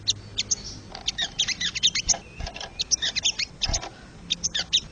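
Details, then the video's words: Wild crested jay, used to stir caged birds: dry, clicking rattles in quick bursts, high and buzzy, with short pauses between groups and faint low background hum. "MASTERAN BURUNG SOGON SUARA ASLI SOGON LIAR"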